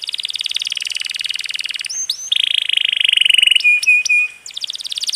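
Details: Canary singing a long rolling trill style known locally as 'roll tembak', used as tutor song for cage birds, with a water-trickle effect added: sustained buzzy rapid trills, brief upslurred whistles and a few steady piping notes.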